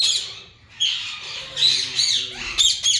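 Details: A yellow Indian ringneck parakeet from a breeding pair utters drawn-out, raspy, wavering squawks with a brief quiet gap and a sharper screech near the end.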